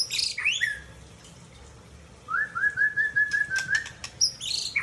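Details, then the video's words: Mature male white-rumped shama, Aceh type, from Tangse, Indonesia: harsh, high scratchy notes, then an even trill of about eight whistled notes on one pitch, ending with more rasping high sounds. "Murai Aceh # Jantan Mapan Asal Tangse"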